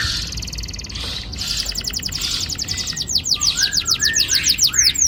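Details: Canary song for prompting young canaries to sing: a fast buzzy trill gives way to rapid descending whistled sweeps, with a few lower slurred notes near the end.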